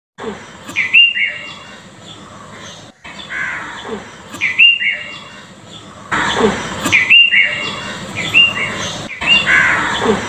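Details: House sparrows enjoying the rain give short, bright chirps in loose bursts every few seconds over a steady hiss of falling rain.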